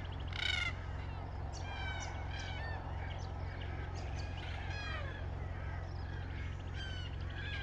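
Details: Red-tailed black cockatoos: a loud rasping call opens, then a string of harsh curved calls from several birds, fading toward the end, over a continuous low hum.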